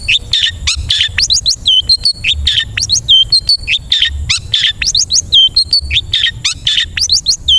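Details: Long-tailed shrike (cendet) song meant to train caged birds to sing, with many different notes: sharp rising whistles, short chirps and scratchy trills, delivered in a rapid, continuous stream.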